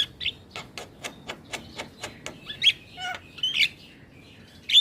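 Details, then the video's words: Black-winged starling singing hard and nodding, a recording to stir mute starlings into song: a steady train of about ten sharp clicks, followed by harsh, squeaky twisting whistles and a loud final squeal. "Suara Asli Jalak Kebo gacor Full Manggut manggut"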